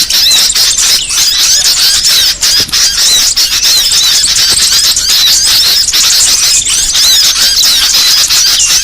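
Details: Bird-trapping lure call for small birds: thick, high-pitched chattering of numerous birds, with tiny repeated whistled notes and rising and falling squeaks layered densely over one another.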